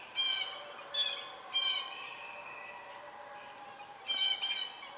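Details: Red-shouldered Hawks (Southern) at a nest with young about to fledge while an adult brings food, a snake, giving harsh, squealing screams in four bursts at uneven intervals over a few seconds, with faint lingering tones between them.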